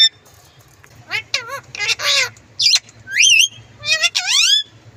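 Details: Green parrot talking: a run of loud, high, harmonic squawks and warbling, bending syllables that rise and fall steeply, several in quick succession, over a low steady background hum.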